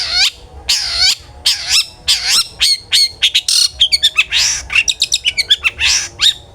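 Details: Long-tailed shrike with loud gacor 'ngeplong' song, played as a lure to get shrikes singing: broad harsh rasping notes, then a rapid stream of sharp high chirps and whistles.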